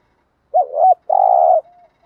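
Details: Single spotted dove phrase of the 'gù' and 'thúc' style, used to stimulate wild doves: a short warbling hoot dipping and rising, a brief pause, then a sustained low buzzy coo trailing off softly in quiet surroundings.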